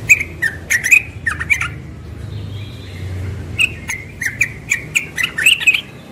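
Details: Morning song of a young yellow-vented bulbul, given in two bursts of quick liquid chirping notes separated by a short pause, over faint low background hum.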